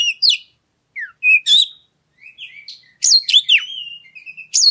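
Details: Oriental magpie-robin singing as a lure for other birds: scattered short whistles and downslurred notes, a brief gap, then a richer burst of varied whistled and rasping phrases.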